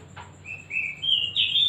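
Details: Oriental magpie-robin (kacer) in a lure recording meant to draw out its full repertoire: after a faint click, a sequence of clear whistled notes steps upward, each a little higher and louder than the last, over a quiet hum.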